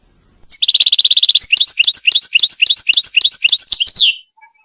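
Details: Royal goldfinch, a European goldfinch called mqnin, singing for captive-bird song training: a rapid buzzy trill followed by a steady series of bright, rising chirped notes about four a second, ending in a falling slur.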